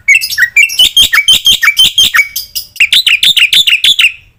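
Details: Black-winged myna singing a master training song full of varied fill-in phrases, used to make other mynas respond: a quick run of sharp, downward-slurred chirps, about four each second, shifting to brighter repeated high notes.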